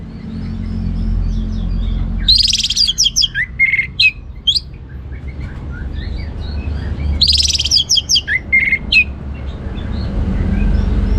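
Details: Orange-headed thrush in active ngeplong song, two loud bursts of varied notes, dense high chatter followed by sharp downslurred whistles, about five seconds apart, over constant low-pitched noise.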